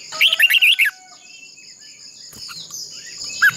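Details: A decoy red-whiskered bulbul sings in fighting-contest style for voice training. It gives one quick burst of five or six bright, wavering whistles, then a pause over a constant high drone, and ends with a single short note.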